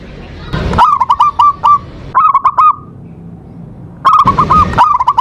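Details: Local zebra dove singing the ndudut variation as a lure to provoke a rival: short clusters of quick, clipped cooing notes in three bursts, over loud rumbling background noise.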